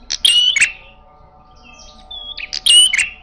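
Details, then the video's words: Red-headed prinia giving an aggressive fighting-style call: two loud, harsh, buzzy bursts laced with sharp high whistles, separated by a quieter stretch holding a few thin whistled notes, over a faint steady hum. "Burung prenjak kepala merah galak gaya tarung bagus"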